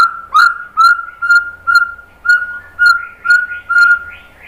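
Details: Song of a white-rumped shama, played to stir other birds to sing: a steady run of short clear whistled notes on one pitch, repeated about twice a second with slight rising flourishes.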